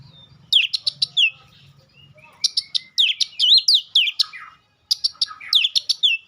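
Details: Rapid, varied song of a White-rumped shama, sharp chipping strokes mixed with looping whistles in tight bursts, short pauses between phrases, a faint low hum early on.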